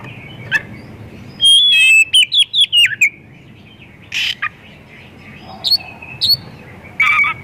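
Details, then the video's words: Oriental magpie-robin delivering a varied, imitation-filled song as a lure to get other magpie-robins singing; a quick cluster of clear whistled slurs, then spaced harsh buzzy notes and short high whistles, with faint low hum behind. "Kacer gacor full isian pancingan burung Kacer"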